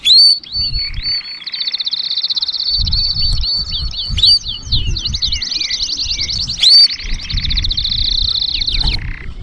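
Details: Long continuous high trill of an Atlantic canary with rapid repeated sweeping notes and a lower buzzy layer, over soft low background rumble; played to teach young birds and stimulate males to sing.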